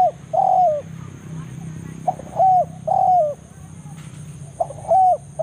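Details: Forest spotted dove used to lure rivals to a trapping spot; repeated hollow cooing, short note plus two longer coos dropping at the end, about four phrases, with a constant thin high tone.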